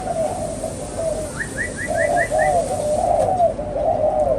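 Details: Spotted dove kept as a pet bird, giving a series of soft, husky, rolling coos, repeated in irregular phrases, with a brief run of about six high, quick chirps from another bird partway through.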